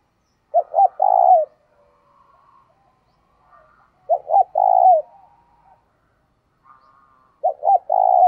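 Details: Decoy spotted dove luring wild birds, repeating its phrase about every three seconds, three times: paired short coos and a prolonged purring note, with soft faint notes in between.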